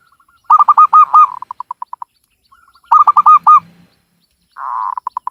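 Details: Local Java zebra dove, Cilacap in Central Java, repeating its song twice: loud clipped coos trailing into fading rapid pulses, then a rolling burst breaking into quick pulsed notes.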